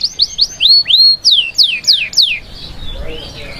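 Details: Canary song meant to prepare hens for breeding; high whistles slide up, then a few steep descending notes follow before the song fades into faint quiet chirps.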